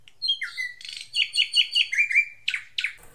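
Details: Lure recording of a singing Ashy drongo: upslurred whistle, then a quick chain of sharp chirped notes over steady whistled tones, ending in two harsh rasping notes.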